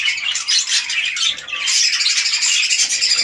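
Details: Captive red-eyed lutino budgerigars in a breeding setup, a large male paired with a small female; dense high-pitched squawking and chattering fills the room without pause, with scratchy notes layered over one another.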